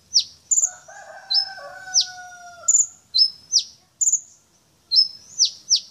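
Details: Brown-throated sunbird, a champion bird unloading its learned repertoire: piercing, downward-slurred chips and high, stuttering whistles in irregular bursts. A lower, drawn-out crowing call from another bird crosses the song early on.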